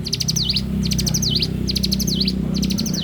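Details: Morning song of a bar-winged prinia, loud and close: four fast high ticking phrases each ending in down-up slurs, repeated steadily over a strong low droning hum.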